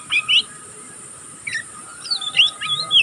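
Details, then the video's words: Juvenile oriental magpie-robin (pastol) practising its song: scattered short whistled chirps and slurs separated by brief pauses, then a quicker cluster of upslurred and downslurred notes near the end. "burung kacer pastol ngeriwik pastol paud masih belajar pokal ngeriwik tanpa putus"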